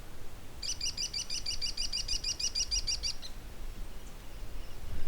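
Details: A juvenile American kestrel calling in mid-air, about to fly, on Nassagaweya-Esquesing Townline: a rapid series of about fifteen shrill, high killy-killy-killy notes over two and a half seconds, with low rumbling background noise.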